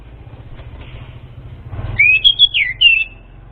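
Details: Orange-headed thrush singing a lure song: after a quiet start with low hum, a short run of clear whistled notes around mid pitch, sliding up and down, lasting about a second.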